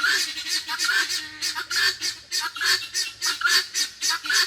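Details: Helmeted guineafowl at an animal sanctuary by a creek: a female gives harsh, raspy two-part calls about once a second in an uneven rhythm, while a male answers faintly in the distance, over a low hum.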